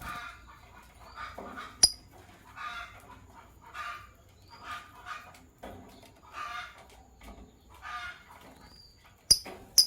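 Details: Morning chatter of Sky Blue Opaline and Green Opaline lovebirds, with rhythmic raspy chirps about twice a second, occasional thin upslurred whistles, and sharp clicking notes at the start and end.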